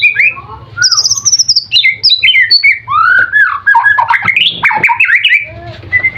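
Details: White-rumped shama, known locally as murai, singing a competition song that includes mimicked material: rich, varied whistles, slurred rising and falling notes and quick chirps in dense succession, over a faint low hum.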